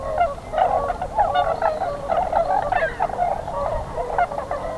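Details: During spring migration, Tundra Swans crowd a stopover in southwestern Ontario near Pinery Provincial Park. A continuous mass of low, nasal hoots and woo-ing calls blends into one throbbing chorus.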